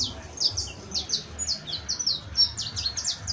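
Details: Saffron finch, locally called canario criollo, delivering professional-style song: a quick run of sharp, high, downward-sweeping chirps repeated several times per second, over faint low background rumble.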